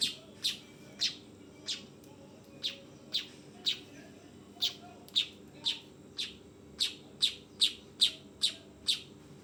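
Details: Juvenile weaver giving rapid, harsh, high chirps, sixteen notes that speed up toward the end, with a constant low background hum.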